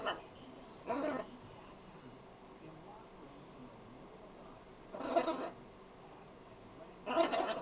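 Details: A talking pet macaw, said to talk a lot, gives three short, rough, speech-like bursts of about half a second each, spaced a few seconds apart over a quiet background.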